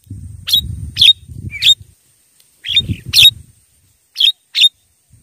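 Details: Javan myna lure recording for wild birds: scratchy, buzzy notes in loose series, interspersed with low rumbling handling noise.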